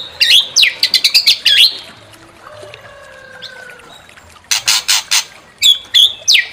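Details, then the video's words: Murai batu, the white-rumped shama, in song meant to provoke another bird: quick looping whistled phrases with steep sweeps, a softer lower warble in the middle, then loud harsh rasping bursts before the whistling returns. "Pancing EMOSI MURAI BATU BONGKAR ISIAN"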